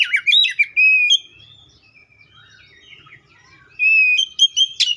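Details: Oriental magpie-robin opening with a fast run of warbled notes and a sustained whistle, then quieter twittering, and finishing with bright whistles and sharp chips.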